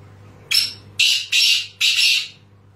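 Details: Black francolin, a Sindhi teetar: four harsh, grating broadband notes in quick succession, the first short and the rest longer, over a low steady hum.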